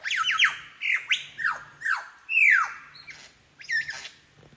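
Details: Royal National Park lyrebird in Sydney copying other birds' calls: repeated strong whistled notes sliding steeply downward, a long loud falling sweep midway, then quieter twittering.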